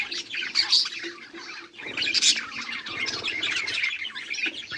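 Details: Budgies chirping on 18 July 2023: a continuous flock chatter of buzzy, high warbling notes, swelling in bursts, with a few louder piercing squeaks and a short dip in the middle.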